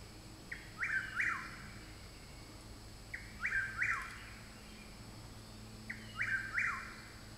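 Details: Chuck-will's-widow singing from the woods behind a home, three songs spaced about every two and a half seconds, each a faint short note and two loud, slurred whistled phrases, with a low steady hum.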